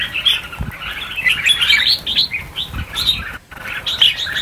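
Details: Red-whiskered bulbuls released in large numbers, around a thousand, fill the air with dense squeaky chirps and quick whistles, a brief drop-out midway, and occasional low thuds of movement.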